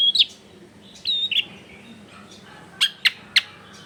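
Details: Long-tailed shrike song used as tutor material for a silent caged bird: a few sharp chirps spaced about a second apart, a short quiet gap, then three abrupt, clicky high notes in quick succession over low background noise.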